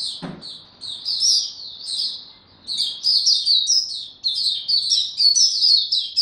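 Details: Oriental white-eye in slow, easy song: bright, high-pitched twittering notes strung into quick phrases, pausing briefly before a denser run of sweet chirps.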